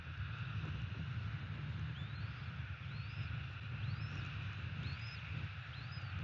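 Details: At a Florida nest, a bald eagle gives five high, thin whistles, each sweeping up and falling away, roughly one per second, over heavy steady low wind and engine rumble. Recorded 30 December 2017, late morning.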